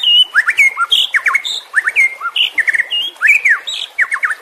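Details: White-rumped shama song used as training audio for caged birds that have stopped singing: rapid varied phrases of sweet slurred whistles, rising and falling notes and short chattering bursts, delivered almost without pause.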